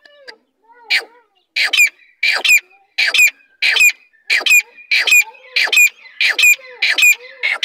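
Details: Large female grey francolin (teetar) calling: a steady run of about eleven harsh, squawking notes, roughly one every 0.7 seconds, each a rasping burst with a thin squeaky edge, after two fainter notes at the start.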